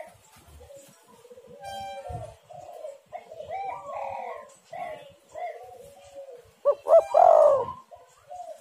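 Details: Spotted dove cooing played to draw wild birds: a run of soft, mid-pitched coos and murmurs, then one loud, rough, drawn-out coo near the end.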